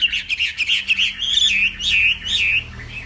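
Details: Morning contest song of a Northwest Vietnam Hwamei: a quick string of bright warbled notes followed by long swooping whistled phrases, loud and continuous.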